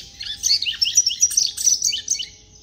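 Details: Captive one-year-old Double-collared seedeater (Sporophila caerulescens), raised in an aviary and said to have created its own song, sings a quick run of high, sweet chirps and slurred twittering notes in a continuous jumbled stream beside another bird.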